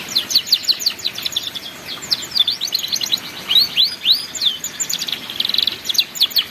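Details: Young-canary training song in ngeriwik style: lively run of high chirps and down-slurred whistles, then loud rising sweeps and a brief buzzy burst near the end.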